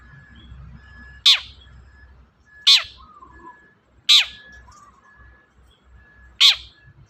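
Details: Long-tailed shrike (cendet), recorded as a lure to make a silent shrike answer and sing: four piercing downward-swept chips spaced roughly one and a half seconds apart, with faint whistled notes between them.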